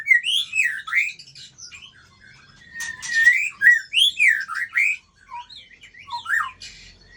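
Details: Shama with a 24 tail, tail-flicking to intimidate a rival. It gives clear, loud whistled song phrases that loop and swoop up and down, with a short harsh burst in the middle and brief pauses between phrases.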